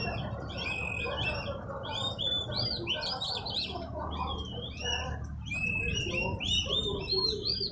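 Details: Newly bought oriental magpie-robin in training, singing vigorously: rapid varied whistled phrases with sliding notes and chatter, over a steady low hum.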